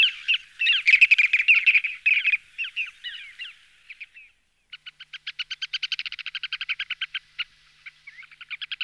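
A ruddy turnstone gives a dense, hard twittering chatter, then after a short pause a quick rattle of clipped 'kit' notes, several per second.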